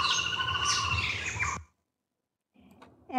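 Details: A greater racket-tailed drongo from the Biligiri Rangan Hills, south India, mimics a woodpecker: a harsh, ringing, richly harmonic call lasting about a second and a half, then a pause and the start of another call.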